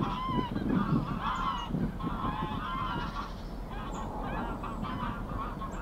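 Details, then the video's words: Mother greylag goose with goslings on a swim at Getterön, Sweden, 20 April 2022; a run of nasal honks in the first three seconds, then quieter, with distant high chirps over low rumbling background. "Mother Greylag Goose and her goslings having a swim"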